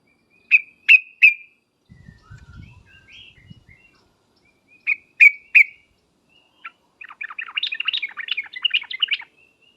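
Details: Sooty-headed bulbul lure call, the 'ngriwek uplik uplik' style used to make birds answer at once: three bright clipped notes, a quiet low rumble, two more sharp notes, then a fast bubbling chatter.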